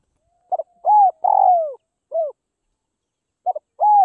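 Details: Spotted dove from northwest Vietnam, kept and hand-fed for taming. It gives a series of low, mellow coos: short paired notes, then a long, drawn-out falling coo, then more short and sustained notes, all in a quiet background.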